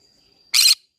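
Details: Green-cheeked conure in a flower garden letting out a single harsh, rasping squawk lasting about a quarter second.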